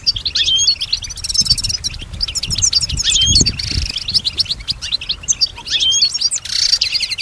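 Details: Kept European goldfinch singing and echoing sounds it hears; continuous high twittering mixed with buzzy, wheezy notes and short trills, with low background knocks.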